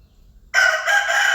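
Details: Crowing rooster: a sudden, loud, coarse crow starts half a second in and carries on at full strength with a brief dip partway through, cut off mid-call.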